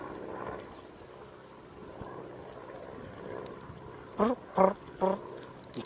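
Northern Pintails give three short, reedy, slightly rising notes in quick succession near the end, over a steady low rumble of distant traffic.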